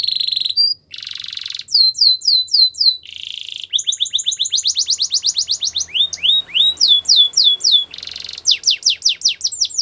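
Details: Canary song meant for training singers, with varied tours: a sharp buzzy burst, rows of falling whistled notes, fast rattles and rising sweeps, each repeated several times before switching.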